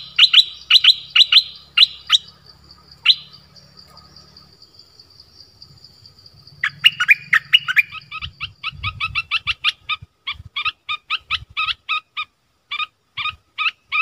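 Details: Nok dok taeng used as a decoy in a forest, 13 January 2021, calling a mate. Scattered chirp groups at first, then a long sequence of sharp repeated chirps with brief gaps. A steady high whine sits behind.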